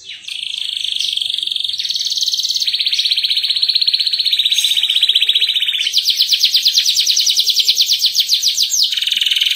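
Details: Atlantic canary in vigorous, clear-voiced 'ngerol' song used as a master recording for young canaries. Long continuous rolls of rapid repeated notes shift in pitch several times; a faster, higher roll enters midway before dropping back.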